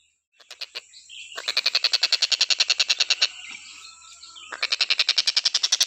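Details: Stork-billed kingfisher in full, unbroken call, a recording meant as a tutor for other songbirds: a fast, harsh, evenly pulsed series of about three to four notes per second, pausing briefly before resuming.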